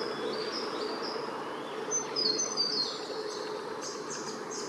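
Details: Spotted pardalote, subspecies punctatus, on the northern New South Wales coast, 9 September 2018: thin, high whistled notes, several overlapping, with one clearer sustained whistle midway, over a steady hiss of background noise.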